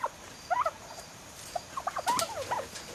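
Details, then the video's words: Young turkeys almost six months old give short, soft, mid-pitched peeps and chirps in scattered bursts, some rising, some falling, over a faint background hiss. "Baby turkeys making turkey sounds!"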